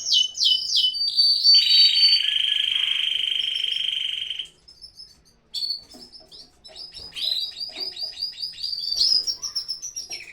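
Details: Canary in a breeding-season aviary, singing quick chirps that run into a long, loud, buzzing trill. A short pause follows, then rapid, varied chattering notes from the aviary.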